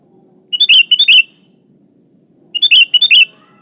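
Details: Vigorous sooty-headed bulbul song aimed at a rival, without fill-in: two bursts of four clipped, bubbly notes each, two seconds apart, over a quiet low hum.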